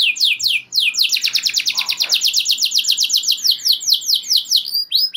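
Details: Canary singing long rolls that stir other canaries to join in; two slurred whistles open into a rapid, evenly pulsed trill of descending notes lasting several seconds, ending in a few separate chirps.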